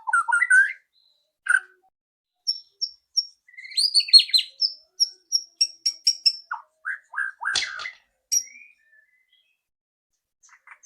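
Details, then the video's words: White-rumped shama, loud rattling song meant to prompt a bird to sing quickly: whistled slurs, then a run of high, sharp, evenly spaced ticking notes, a burst of rapid notes and a few scattered lower whistles before silence. "PANCINGAN MURAI BATU AGAR CEPAT BUNYI ketrekan keras murai batu"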